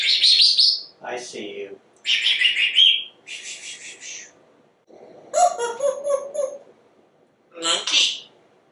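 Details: Very talkative male African Grey Parrot indoors as a companion bird; a run of harsh, noisy, speech-like chirps and squawks in bursts, some buzzy and some clipped, with short silent gaps.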